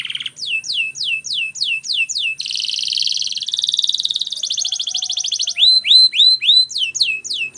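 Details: Canary training song with repeated sharp downslurred whistles, a rich buzzing roll, a steady mid-pitched rattling trill, then rising hooked whistles repeated about twice a second.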